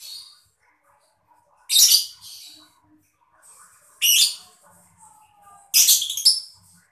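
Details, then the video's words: Mocha lovebird chirping, used to stimulate other birds to sing: three harsh, shrill squawking bursts spread over several seconds, the last one broken into a short stuttering run, with quiet gaps between. "lovebird mocca gemericik cocok buat mancing burung biar gacor"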